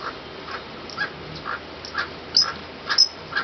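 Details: An emerald toucanet (Aulacorhynchus prasinus) at La Cinchona, Alajuela, Costa Rica, in February 2013, gives a series of short, dry, barking croaks, about two a second, over a faint background hiss.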